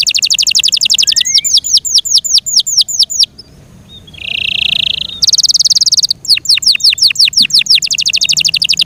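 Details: Yorkshire canary cared for at home, singing a fast high trill and a string of swooping notes, then a flat buzzy tone, a loud piercing roll, and another rapid trill.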